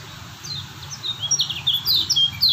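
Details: Softer, scattered high whistled chirps from a Lombok lemon-bellied white-eye, starting thin and building to a few louder downslurred notes, with steady low hum behind.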